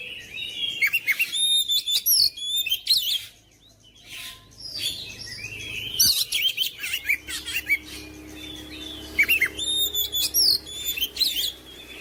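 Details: Oriental magpie-robin giving a long, energetic series of bursts of sharp whistles, chatter and trills. A short quiet break comes near the fourth second, then lively, dense phrasing resumes, with faint low background noise.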